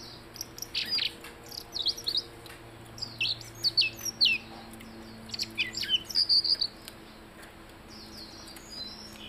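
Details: High, lively song of a blue-headed rock thrush: clusters of sharp chirps and downslurred whistles for about seven seconds, then fading to faint notes, with a low hum in the background.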